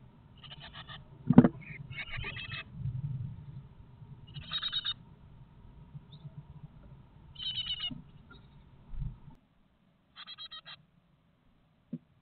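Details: Young Great tits fledging from a nest box after 20 days inside, eight siblings leaving between 11:18 and 11:25 in late morning; buzzy, rasping bursts come in short clusters every few seconds over a low background rumble and a sharp knock.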